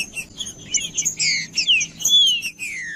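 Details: Male green-winged saltator in breeding, fighting form, singing to fire up other males: overlapping bright whistled slurs, some falling and some rising, mixed with sharp high chips. A faint steady high whine runs underneath.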